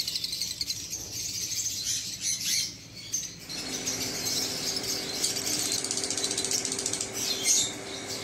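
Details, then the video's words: A Fischer's lovebird, recorded 29 July 2023, chatters in a steady stream of high, scratchy squeaks and chirps, with a low mechanical hum joining partway through. "Lovebird singing lovebird voice fisher sound"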